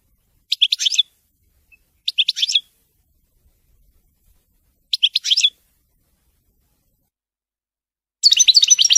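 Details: European goldfinch, wedani-style song, brief bursts of liquid twittering and chirps spaced a couple of seconds apart, ending in a longer, denser twittering phrase.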